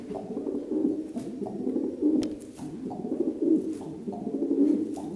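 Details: A pet pigeon indoors coos as he hops down stairs, coo pace matching his jumps: soft, low, throaty coos, a steady murmuring run of rolling notes with slight swells about once a second.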